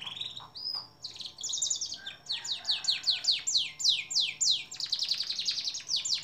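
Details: Canary song from a long-duration recording for training songbirds, opening with short whistles and then a long fast trill of sharply falling high notes, repeated several times a second and swelling and fading in waves.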